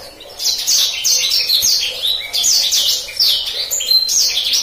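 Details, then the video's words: Rolling gacor ngeroll song from a black-throated canary, intended as a master song for canaries: after a short quiet start, a dense run of high, falling whistled notes and rapid trills. "Terbukti Kicauan Blacksang Gacor Ngeroll, Paling Digemari Dan Mudah Dihafal Kenari Manapun"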